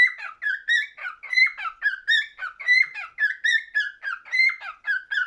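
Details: Pet cockatiel song, a steady stream of looping whistled notes, some rising and some falling, with bright harmonics above them and a quick choppy rhythm of about 43 phrases a minute, in a quiet room.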